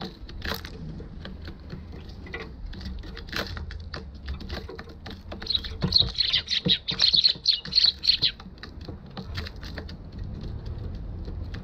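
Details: Eurasian tree sparrow at a balcony on 1 December 2021, GoPro HERO6 recording: light tapping and clicking throughout, with a burst of loud high chirps in the middle lasting about three seconds before fading back to taps.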